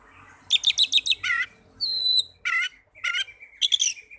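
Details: Oriental magpie-robin song used to prompt caged birds into singing: a fast string of rattling chirps, buzzy trills, a long clear high whistle, and further rasping bursts, with a low background hum.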